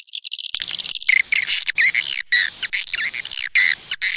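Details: Swiftlet attraction call opening with soft pulsed notes, then repeated bursts of harsh, twangy chirping twitters about every half second.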